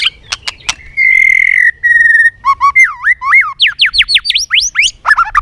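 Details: White-rumped shama in competitive song: sharp clicks, two long steady whistles, then a fast series of swooping, rising whistled notes and a chattery ending.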